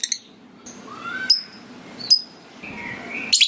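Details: Caged lovebird calling with short ticking notes, a rising whistled note and sharp high chirps spaced about a second apart, ending in a burst of shrill chatter, over a low indoor hum.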